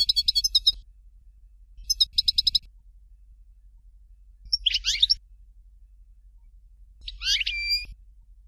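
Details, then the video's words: European goldfinch in Fort de l'eau Dalya style: two fast, metallic, rattling trills, then two harsher, buzzy, scratchy phrases, each separated by clear pauses. "Chant Chardonneret Dalya Original"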